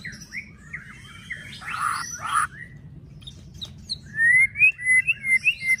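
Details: White-rumped shama, locally murai batu, in 'pastol fighter' style song to provoke rivals into singing: short whistles and two harsh buzzy notes over low background hum, then a quick series of rising whistles.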